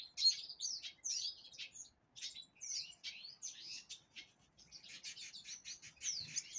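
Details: A Black-throated Canary (Crithagra atrogularis impriga, Angolan singer), young bird hatched 6 December 2023, sings a fast, high twittering song of varied chirps, trills and slurred whistles, with only brief pauses and no other sounds.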